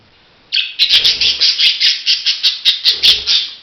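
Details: After a moment of silence, a budgerigar gives a fast run of harsh, raspy chattering notes, about four per second, steady and evenly loud to the end.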